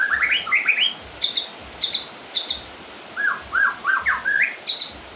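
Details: White-rumped shama after moulting, singing in rain: clear rising whistled phrases in quick groups, interleaved with sharp high clicks roughly every half second over constant rain hiss.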